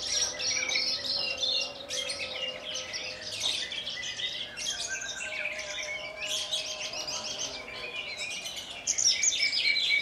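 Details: Caged Javan bush lark native to Kulon Progo, Indonesia, singing in the Jambul manner with wing-trembling after a hovering flight; busy high-pitched chattering and trilled notes, a louder burst near the end.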